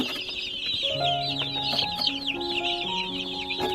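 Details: A hundred baby chicks cheep together in a loud, unbroken chorus of shrill, quick chirps. Soft held musical notes play underneath throughout.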